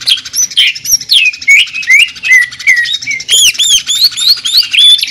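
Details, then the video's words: Greater green leafbird in jamtrok tembakan, sewing-machine style: a string of loud, slurred downward whistles repeated about every third of a second, then clear arched notes climbing higher near the end. "CUCAK IJO JAMTROK TEMBAKAN SUARA MESIN JAHIT"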